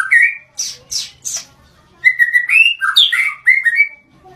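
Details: Blorok white-rumped shama singing: a whistled note, three sharp rasping high notes, then a flowing run of clear whistles rising and falling in quick succession.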